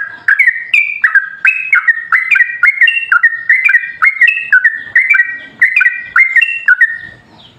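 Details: Yellow-vented bulbul song in the long 'ropel panjang' style, meant to draw replies from other bulbuls. Rapid run of clear whistled notes alternating higher and lower pitches, with faint low rustling underneath.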